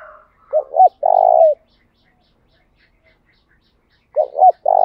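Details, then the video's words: Spotted dove luring and provoking rivals: two loud cooing phrases about three seconds apart, each a short wavering double coo leading into a long trembling held note, silence between. "Tiếng chim cu gáy mồi thúc đấu giọng hay, tiếng chim cu gáy thúc bổi nhanh về cội"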